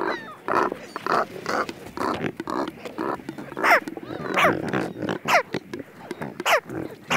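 American White Pelicans give hoarse, low grunting croaks in quick bursts, several per second, with a few higher rising squeals mixed in.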